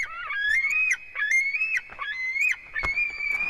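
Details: White-tailed eagle eaglet, fourth day in the nest at Durbe, 13 August, live nest camera: an almost continuous thin, wavering whine with faint harmonics, gliding up and down, broken by brief dips and one sharp click.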